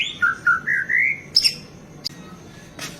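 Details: White-rumped shama in full song with varied fill phrases, used as master audio to teach captive birds: a series of clear whistled notes stepping upward, then a sharp high note, with a buzzy burst near the end.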